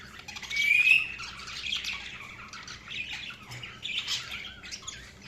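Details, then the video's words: Budgies chirping, with a brief rising whistled note near the start followed by softer, scattered high chatter and warbling that fades in and out. "Budgies Chirping sound"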